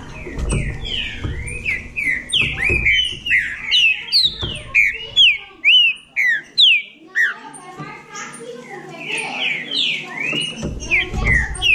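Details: Bahia green-winged saltator singing competitively, a long sequence of loud slurred whistles roughly two per second, overlapping softer twittering notes midway, with low thumps and handling noise.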